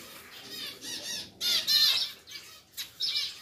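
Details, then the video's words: Caged pair of pied zebra finches, just moved into a bigger cage, call in quick nasal bursts; several loud clustered calls mid-clip over a hissy background. "SEPASANG ZEBRA FINCH PIED"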